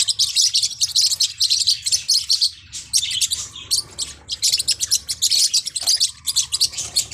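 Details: Forpus parrotlets chirping in dense, high tweeting bursts, with a brief lull near the middle before the busy chatter resumes.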